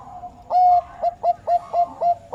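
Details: Bangkok-type zebra dove giving one drawn-out coo followed by a quick, regular run of short, clear notes, each with a slight upward hook, about three per second.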